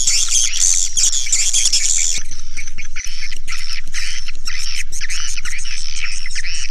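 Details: Swiftlet calls, opening with about two seconds of harsh hissing, then a quick series of clipped, rasping chirps repeated several times a second over a constant low hum.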